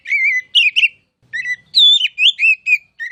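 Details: Oriental magpie-robin singing for contest-bird training: drawn-out whistles and quick warbled notes, a short silence, then a fresh run of clear, bending tones.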